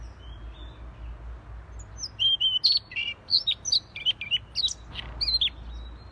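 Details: Siberian rubythroat in vigorous gacor song: a thin whistle opens, then a rapid string of bright, high chirps and down-slurred notes repeated in quick succession, over low rumbling background noise.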